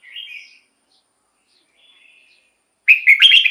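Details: Caged red-whiskered bulbul, its song used as a lure for wild birds and to excite caged birds: a soft opening whistle and faint notes, then a loud burst of rapid, chattering whistled notes at the end.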